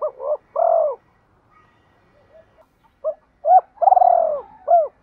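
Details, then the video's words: Spotted dove used as a decoy, calling to lure and provoke rival males: deep hooting coos in short groups, a long drawn note among quick paired hoots, then a pause and another burst of coos. "Tiếng chim cu gáy mồi gáy gọi bổi/ tiếng chim cu gáy thúc đấu giọng hay"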